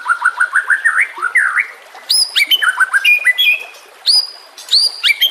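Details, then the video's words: White-rumped shama song used to lure or train other shamas: fast repeated downslurred whistles, then high sharp notes and varied phrases with brief pauses. "Dalam Hitungan Menit Saja Murai Batu Langsung Merespon Dan Ikut Bunyi Dengan Pancingan Ini"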